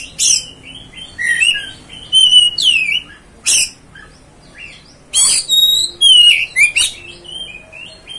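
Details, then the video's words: Provoking song of an Oriental magpie-robin, meant to excite another bird: harsh rasping notes and bright whistles sliding downward, delivered in spaced bursts with short gaps. "MEMANCING | MEMBAKAR EMOSI KACER ANDA"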